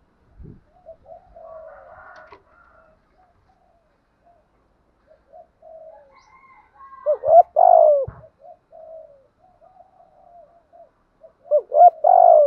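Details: Spotted dove in southern Vietnamese gù thúc cooing, used to rouse captive doves. Mostly soft murmured notes and faint chirps, broken by a loud burst of rising double notes and hoarse coos, with a thump early on.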